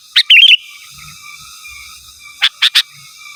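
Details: A sooty-headed bulbul calls rivals, opening with a chirp and a fast gurgling warbled phrase, then after a gap three quick clipped chirps, with a faint steady hum behind.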